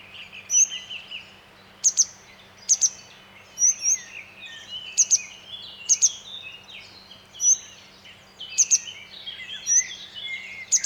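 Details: Along a rushing mountain stream, a grey wagtail repeats piercing metallic double notes, some followed by a short longer whistle, about every one to two seconds, heard clearly over continuous water noise.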